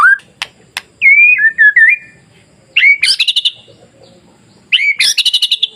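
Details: White-rumped shama masteran song for provoking other shamas: clicks, a warbled whistle phrase, then two bursts of rapid buzzy trilled notes rising high, separated by short pauses.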